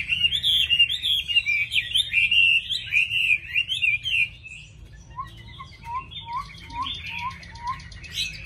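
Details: A well-singing tame hwamei in a cage pours out a fast, tumbling run of bright whistles, then switches to a string of short, evenly spaced, lower upslurred whistles repeated about once a second.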